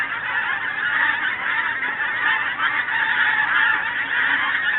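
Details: Flock of geese heading south at the start of winter, loud steady honking from many birds overlapping into an unbroken, raucous wall of calls.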